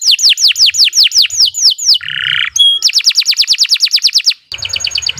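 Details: Canary singing a long training song: repeated falling whistled slurs, a brief harsh buzzy note and a pure tone, then a fast rolling trill of rapid repeated notes, ending abruptly in a new buzzy phrase.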